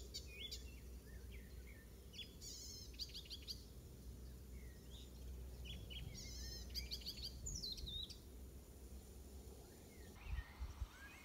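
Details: Icterine warbler singing in a garden at Pieterburen, Netherlands, 17 May 2022 (first heard 15 May): a varied, chattering song of quick high phrases, including piping notes mimicking an oystercatcher, over steady low rumble.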